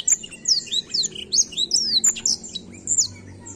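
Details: Black-throated canary singing in a lively rolling style, used to stir young birds into singing: rapid high sweeping and down-slurred notes, sharply separated, flowing continuously over a faint low hum.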